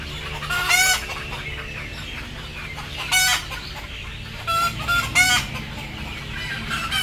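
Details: Sleepy, frightened chickens about to go on board utter loud raspy squawks, three or four spaced bursts with a brief double squawk near the end, against a constant low hum and soft chatter from other birds.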